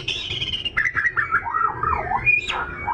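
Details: Oriental magpie-robin (kacer) song used to provoke other birds to sing: continuous varied whistles, sliding and warbling phrases that dip and rise, over a dense, noisy background.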